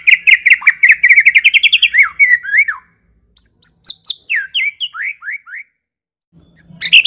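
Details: A White-rumped shama of the Medan type sings a clear, rich, varied song used as lure and training audio for captive shamas: a fast run of repeated bright chirps, then loud whistled slurs and sweeping notes with brief pauses between phrases.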